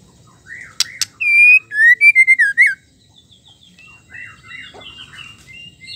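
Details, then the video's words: Female white-rumped shama song used to trigger male singing: after two sharp clicks comes a loud, fast sequence of pure slurred whistles, followed by softer chattering phrases. "suara murai betina gacor pendongkrak emosi asli bikin gacor murai batu jantan"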